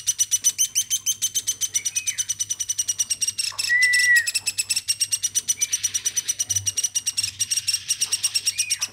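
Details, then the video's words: Woodpecker kept since a chick, hand-raised, calling tirelessly: fast chattering raspy pulses throughout, broken by a few short slurred whistles, one louder rising-and-falling whistle midway, over a faint room hum. "AMOY BURUNG PLATUK GACORNYA SAMPAI 5 MENIT"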